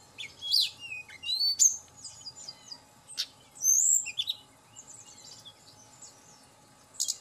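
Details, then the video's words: Tledekan gunung lure song with rapid bright chirps, short slurred whistles and a sharp tick, in uneven bursts that taper to soft notes. "Pancingan Tledekan Gunung Agar Cepat Emosi Dan Cepat Bunyi"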